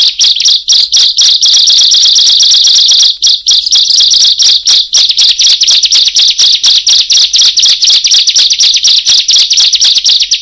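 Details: Bar-winged prinia song used for luring birds: rapid, loud, harsh chattering notes repeated about twice per second, dense high-pitched bursts running continuously with brief gaps, no other clear sounds.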